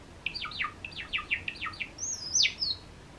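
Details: Cream-coloured pet Java sparrow giving a quick series of short, downward-slurred chips in groups of three, followed by a higher, sharper sweeping note near the end, against a faint steady hum.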